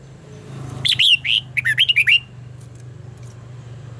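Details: Competitive song of a red-whiskered bulbul for voice training. One continuous phrase of about eight quick, bouncing whistled notes, rising and dipping, set over a constant low mechanical hum.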